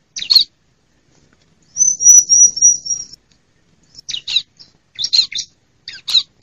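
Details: Female bar-winged prinia, used as a lure to make reluctant prinias sing and to call wild ones in forest and gardens, gives sharp, buzzy high chips in short bursts with a thin sustained trilled whistle between them; no other sounds.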